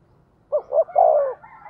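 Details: Decoy spotted dove calling to stir other doves to coo: one phrase of two short hollow notes followed by a longer, drawn-out falling coo.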